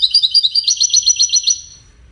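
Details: Melodious goldfinch song, described as cascading musical notes and used in courtship and communication: a quick series of high, tinkling notes repeated rapidly for about a second and a half before trailing off.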